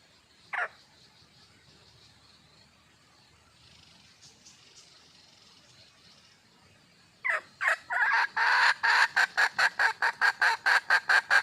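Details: Wild red junglefowl hen calling for a male: one sharp note, a quiet stretch of about six seconds, then a loud burst of harsh, rapid cackling notes, roughly three per second, running to the end.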